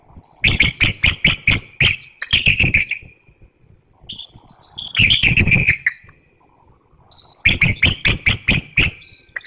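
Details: Bald eagles calling back and forth at their nest before dawn in Hanover, Pennsylvania, 12 March 2019, female incubating eggs on a cold, windy morning; several bursts of sharp, high chattering piping notes separated by short pauses.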